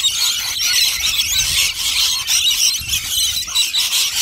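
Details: Rainbow lorikeets crowding in to feed on nectar, a dense continuous wash of harsh, high screeching chatter from many birds at once, with no pauses across the whole stretch.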